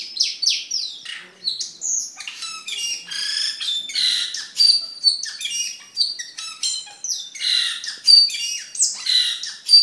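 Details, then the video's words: Cucak keling, used as a master bird for training other caged birds and as a lure, sings a dense, busy medley of high squeaky chirps, sharp rising and falling notes and short buzzy bursts with hardly a pause. "Suara Burung Cucak Keling Gacor untuk Masteran dan Pikatan"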